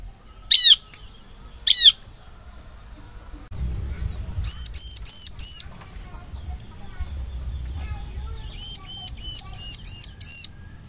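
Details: Bar-winged prinia lure sound used to attract other prinias: two separate sharp notes, then a rapid series of four arched, ringing notes and later a burst of six, with a constant thin electronic whine behind.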